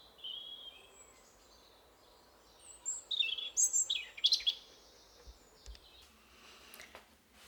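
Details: European robin singing in a forest: a two-second phrase of high, thin, tinkling notes that rapidly change pitch, then a few faint notes over a steady background hiss.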